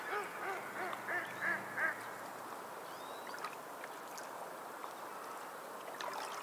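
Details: Seabird on the seashore uttering a quick run of about five harsh, honking, harmonic calls in the first two seconds, then only rolling waves and surf noise.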